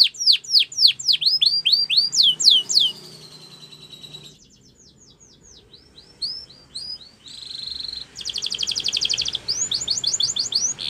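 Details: Belgian canary singing to tempt other birds into song: loud swooping notes in a quick series, a quieter stretch of soft chips, then a dense buzzy trill and more swooping phrases.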